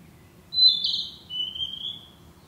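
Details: Narcissus flycatcher singing among trees: a clear whistled opening note runs into a bright trill, then slides down into a long, slightly wavering lower whistle; background otherwise quiet.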